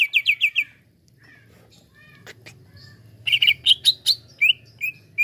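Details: Excited greater green leafbird, provoked by another bird, gives quick repeated chirps, a pause with a few faint clicks, then a burst of varied buzzy and whistled notes ending in short slurred calls.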